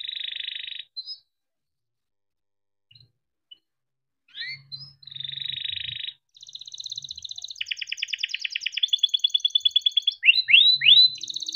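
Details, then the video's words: Singing canary, recorded to stimulate quiet or stalled canaries: buzzy rasping phrases broken by short pauses, then an accelerating rolling trill of rapid clicks, ending with bright rising whistled sweeps; faint low hum in places. "Kenari gacor cuit cuit ngerol untuk pancingan kenari biar gacor"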